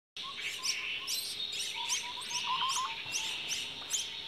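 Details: Common myna at a nest with chicks: a series of short, sharp high chirps repeated about twice a second over a steady high hiss, with a few soft low whistled notes in the middle.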